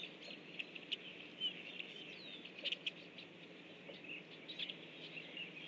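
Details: A group of Rusty blackbirds flying in at 07:55 on 17 October 2013 gives a steady chatter of short, high chips and squeaky notes that overlap irregularly, over a constant hiss.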